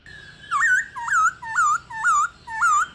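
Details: Female black-throated laughingthrush, long in the wild, calling to excite males to sing, gives five clear, rising, hooked whistles spaced about half a second apart over a quiet background.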